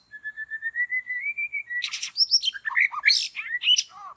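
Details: White-rumped shama singing in forest during bird trapping: a steady series of about fifteen clear whistled notes slowly rising in pitch, then a sudden burst of rapid, harsh, chattering and whistled notes at higher pitch.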